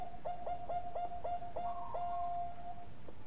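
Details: Bangkok perkutut (zebra dove) singing a golden-toned lure song: a series of six short coos, then a long held note with a higher overtone, amid steady background hiss.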